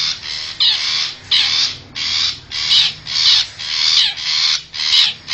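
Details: Long-tailed shrike, wild and from forest, used as a lure call for wild birds: evenly spaced harsh, rasping shrieks, roughly two per second, some with a brief whistled twist.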